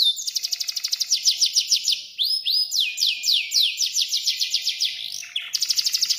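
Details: Singing canary delivering fast repeated trill notes, then a pair of rising whistled slurs and a series of swooping notes, returning to a quick rolled trill; low hum in the background.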